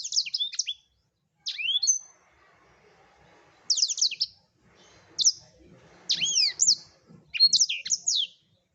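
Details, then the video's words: Prolific blackthroat song recorded for tutoring songbirds: short clusters of rapid high chirps and downward-swooping whistles, repeated at intervals of roughly one to one and a half seconds, with faint low background noise between phrases. "Blackthroat #masteran Burung blekstrut Gacor"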